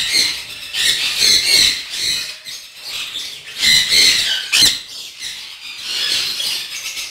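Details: Sun conures at a bird-breeding farm give harsh, grating screeches in repeated bursts, several birds calling over one another.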